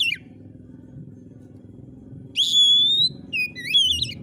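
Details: Oriental magpie-robin in vigorous gacor song. A falling note opens, and after a gap a long clear whistle rises gently before bouncy warbled notes tumble after it. Low hum sits in the background.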